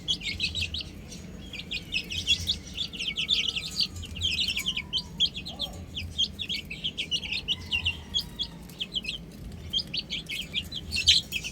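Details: A flock of chicks on a roof keeps up a long chorus of sharp, high peeps, in clusters that swell and ease, with a low pulsing hum and a few faint lower sounds.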